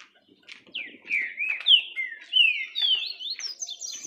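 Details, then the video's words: A green-winged saltator sings a rich run of clear whistled notes, first slurring downward, then climbing steadily higher toward the end, with faint low background noise. "Olha o que esse trinca ferro está fazendo quando começa a cantar."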